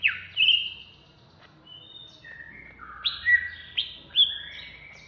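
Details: Greater green leafbird, Banyuwangi type, in raging ngentrok song: a loud swooping phrase, a pause with softer whistles, then three emphatic rising-falling notes about half a second apart.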